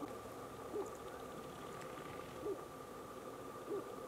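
Sharp-tailed grouse giving three short, low, hollow hoots about one to two seconds apart, over a steady high hum.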